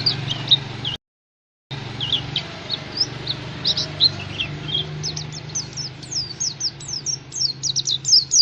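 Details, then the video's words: Song of the Oriental white-eye, meant to get caged birds singing: high, rapid twittering notes broken by a brief silent gap, then a dense series of quick down-slurred chirps over a low droning hum. "Pancingan supaya pleci cepat gacor"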